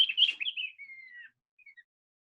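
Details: Beijing babbler, a talented vocalist of wooded hillsides and mountains around Beijing that is often heard before seen: a brief scratchy chatter runs into a long, clear, gently downward-sliding whistle, then two or three faint short notes.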